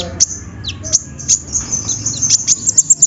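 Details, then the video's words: Sunbird (konin) singing as a lure to prompt other birds to sing: very high thin chirps and sharp ticks near the top of the range, bursts accelerating toward the end, with faint background music. "PANCINGAN KONIN SUSAH BUNYI!! SEKALI DENGAR LANGSUNG DUUUAAAAARRR"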